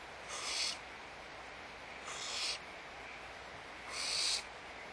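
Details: Barn owls at Audubon Starr Ranch Sanctuary, feeding time in the nest, March 2011; three harsh, airy hisses, each about half a second, repeated roughly every two seconds, over a continuous hum.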